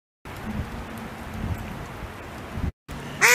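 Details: Cold mallard ducks in winter during a heavy snowstorm, on ice, giving low, muffled quacks under steady wind hiss, ending in one loud, nasal quack right at the close.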